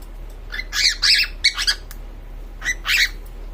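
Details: A female cockatiel gives a courtship mating call of harsh, rasping squawks in short repeated bursts.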